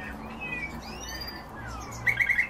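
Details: European bee-eater calls: gliding whistled sweeps followed by a quick burst of four short rolling notes near the end, over low background noise.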